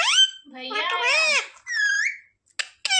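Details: Talking parrot mimicking human words such as 'mummy': a run of harmonic, squeaky, voice-like syllables with gliding pitch, a brief rising whistle, then sharp short notes at the end, indoors.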